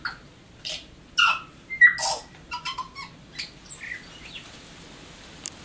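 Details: Tui song from New Zealand: clear mid-pitched whistled notes and a bell-like glide, then quick clicks and short tones roughly every half second, ending with a sharp snap.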